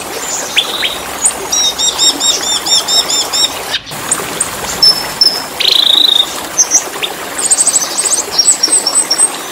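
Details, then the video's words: Caged-bird training recording of black-winged starling song: repeated series of high, looped whistled notes, sharp chips and a brief buzzy rattle, delivered in rapid bursts with short pauses. "Suara MP3 pancingan/masteran untuk burung cucak Keling"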